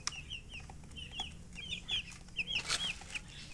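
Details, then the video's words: Several chicks give quiet, high, downward-slurred peeps in quick succession over a soft background hiss. "MURGI Baby "Chicks Chirping" Sound"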